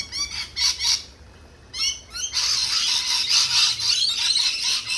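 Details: Loud lorikeet screeching: a few short harsh notes, a brief pause, then a continuous grating screech of several birds lasting the final seconds.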